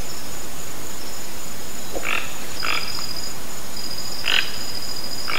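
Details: Toco toucan heard in the wild: four rough, croaky notes in two loose pairs, set over a constant shrill insect drone.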